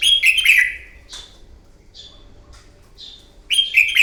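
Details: Morning fighting song of a wild-caught red-whiskered bulbul used to train a bird: loud warbled whistling phrases at start and end, with brief quieter upslurred chirps spaced between them.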